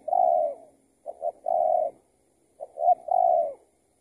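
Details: Spotted dove, an escaped tethered trapping bird, calling back to a decoy while being trapped. Three coo phrases: a long falling coo, then two phrases of clipped double notes each ending in a longer steady coo.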